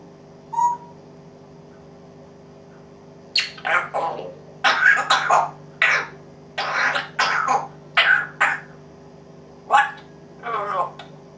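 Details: Pet African grey parrot imitating coughing and barking: one short squeak, then a run of harsh, broadband cough-like bursts, roughly one a second, with a steady indoor hum beneath.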